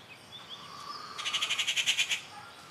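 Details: Rufous treepie at A. Kattupadi on June 19, 2021, giving a harsh, rattling chatter of about ten quick grating notes in one second, with faint thin whistles from other birds before it.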